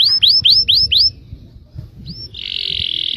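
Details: Yellow canary singing to draw replies from other canaries: five loud rising-then-falling whistled notes, a pause, one more slurred whistle and a dense buzzy trill.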